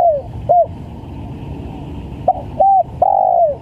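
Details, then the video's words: Spotted dove calling vigorously, played as a lure recording for bird trapping: short mid-pitched coos, then a brief gap before a stuttered note, a short coo and a long coo sliding downward. Steady low background hum. "PANCINGAN TEKUKUR||SUPER GACOR"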